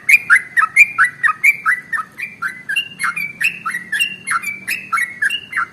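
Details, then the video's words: Sooty-headed bulbul, locally trucukan, singing for other birds to copy: quick paired notes, falling then rising, in a fast steady run with a faint low hum underneath. "SUARA Trucukan ropel SUPER PANJANG paling AMPUH untuk PANCINGAN burung gacor"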